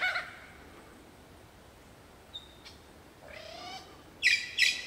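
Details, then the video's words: Superb lyrebird singing in Olinda State Forest Reserve: scattered varied phrases, a brief pure whistle, a rising slurred note, then two loud harsh harmonic bursts near the end, with quiet gaps between. "Superb Lyrebird Song"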